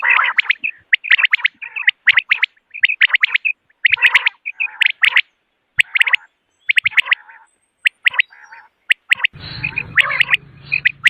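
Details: Common quail calling at morning, used as a hunting call: dense clusters of short chirps and nasal buzzy notes, then a hum and rustling noise joins over the last two seconds.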